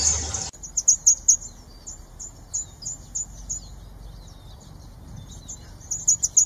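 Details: Northern red bishop, also called orange bishop: high, thin, sizzling chirps and short buzzy notes in quick bursts, with a loud cluster near the start, a sparse run through the middle, and another burst at the end.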